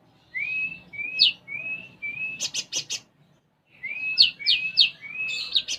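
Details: Konin sunbird performing song mixed with imitated sparrow calls: a string of rising whistled notes, a burst of rapid buzzy chips, a brief silence, then more quick upslurs.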